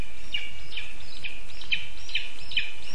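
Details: Lesser spotted eagle chick in a spruce-tree nest in Zemgale, Latvia, mid-August 2024, begging for food with a fast run of sharp, high piping notes, roughly two per second, against constant noise.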